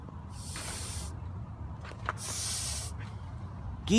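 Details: A goose hisses twice as an aggressive, protective warning to back off, each a harsh, breathy rush of about a second, over a steady low background rumble.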